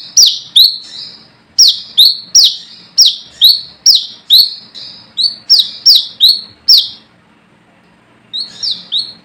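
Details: Brown-throated sunbird calling rivals, a lure sound: loud high slurred chirps in quick uneven runs, a pause near the end, then a few softer notes.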